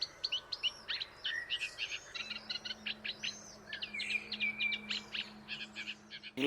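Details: In a slightly humid reedbed on the Île de Raymond at dawn, around 6:20 during the morning chorus, a Eurasian reed warbler sings a steady, chattering run of harsh and sweeter notes, each repeated two or three times, over a faint low hum.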